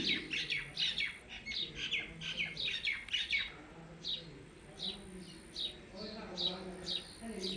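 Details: Blue Indian ringneck parakeet kept as a pet, uttering rapid bursts of shrill high chirps, several per second, then sparser notes, with soft human talk beneath.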